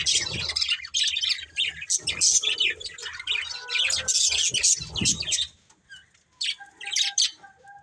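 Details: Budgerigars of a breeding pair chirping in busy high twittering for about five seconds, then sparse short tones and a faint steady note as the chatter fades.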